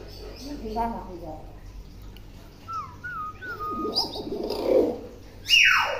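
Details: Tame pet common hill myna known for talking and copying many words: a brief speech-like harmonic phrase, then clear whistled slurs, ending in a loud harsh squawk that sweeps downward.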